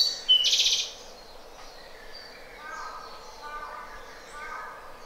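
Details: Japanese robin singing: a sharp high note opens a quick buzzy trill lasting under half a second, followed by quieter, lower trilled phrases over faint background hiss.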